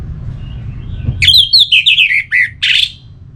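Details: Orange-headed thrush (Geokichla citrina), kept as a cage bird in Singaraja, North Bali, sings a quick, varied phrase of bright, slurred whistles and buzzy notes, about eight syllables in under two seconds, over a low background hum.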